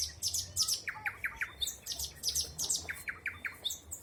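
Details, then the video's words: Forest birds singing in spring 2020, dominated by a fast series of sharp, high chirps and buzzy notes repeated almost three times a second, with lower clipped notes between. "Пение птиц. Весна 2020."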